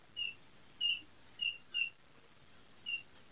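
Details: Brown prinia singing a steady chain of short high notes with dipping lower notes between them, a one-second pause, then the chain resumes over faint background hiss.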